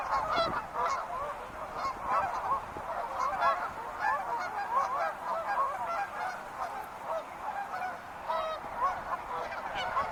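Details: Many wild geese honking together, a steady crowded babble of short nasal calls that rises and falls slightly in loudness over ten seconds.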